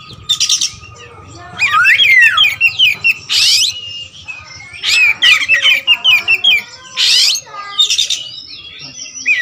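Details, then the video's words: Black kacer wulung raja, a white-rumped shama kept as a cage songbird known for varied song, delivers loud bursts of buzzy rattles, sweeping whistles and quick twittering phrases separated by brief pauses. "Adu spek raja kacer materi segudang kacer wulung"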